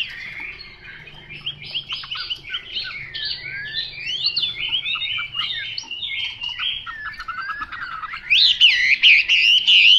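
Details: Chinese hwamei singing a dense, energetic medley of quick buzzy and whistled notes, growing louder toward the end with strong, clear, wavering whistles.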